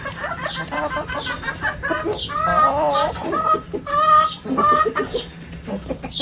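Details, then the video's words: Backyard hens clucking loudly in close, wavering, drawn-out calls, several chickens overlapping with quick sharp notes between phrases. "Chicken Sounds Noises Hens Clucking Roosters Crowing!"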